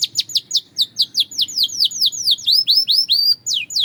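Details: Belgian canary song for training: evenly spaced down-slurred whistled notes, about four per second, shifting midway into rising-falling swept notes, with faint background hum.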